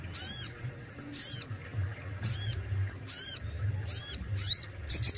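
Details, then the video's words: Kept Crested Jay repeating loud, harsh, arch-shaped notes about once a second, each note bright and ringing, with a low constant rumble underneath. "SOGON ISTIMEWA ,BESETAN DAN TEMBAKANYA WOW BANGET"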